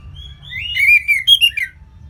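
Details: Orange-headed thrush in ngeplong song: a single flowing phrase of clear, slurred whistles that rises and falls, ending in two brighter notes and a soft dropping tail.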